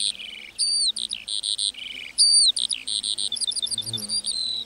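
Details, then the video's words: Lark singing in a meadow: a fast, unbroken stream of high chirps, short whistled slurs and buzzy trills, with brief pauses. Tone and pace change often, and a denser run of rapid notes closes the phrase. "Singing lark in the meadow"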